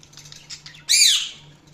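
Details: A budgerigar lets out one loud, harsh squawk that sweeps downward after faint chatter, with a steady low hum in the background.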